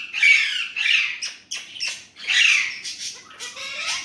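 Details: Indian ringneck parrot, a talker in Urdu/Hindi, gives continuous gravelly chatter with repeated rasping syllables, loud at first and trailing into thinner, higher, breathy sounds.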